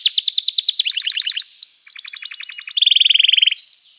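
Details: Canary in full song, used to spur silent canaries into singing: rapid descending trill notes, a short upward whistle, a stuttering mid-phrase, then a smooth fast rolling trill ending on a clear note.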